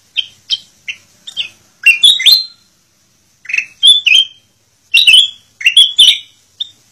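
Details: Master recording of black-crested bulbul song for training captive birds: four soft quick chirps, then louder ringing phrases of three or four notes separated by silences, ending with a faint single note.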